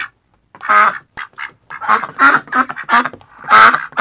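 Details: Several ducks quacking together in an irregular chatter of nasal, raspy calls that overlap and vary in loudness.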